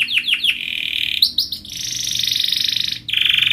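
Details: Canary song meant for teaching young canaries, with a few falling chirps, a sustained buzzy trill, brief sweeping notes, and a long high rolling trill that briefly breaks before resuming.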